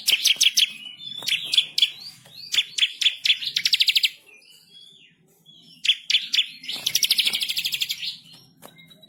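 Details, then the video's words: Masteran song of a bar-winged prinia, vigorous and insistent: groups of sharp high chips leading into fast buzzy rolls, a pause, then a dense loud trill. "burung MASTERAN ciblek kristal gacor // ngamuk ngotot ngerol nembak pedas"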